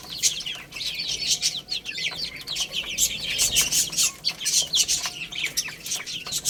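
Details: Baby chicks playing and eating fill the air with continuous thin, high chirps, overlapping and falling in pitch, alongside repeated tapping and clicking sounds.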